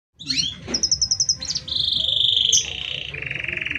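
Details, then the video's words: Canary song with long, tightly spaced phrases, used for training or provoking other canaries: a run of rapid high chips, then a long buzzy trill held steady and dropping slightly, ending in a lower rattling trill. "Suara Kenari Gacor | Suara Kenari Gacor panjang Jeda rapat"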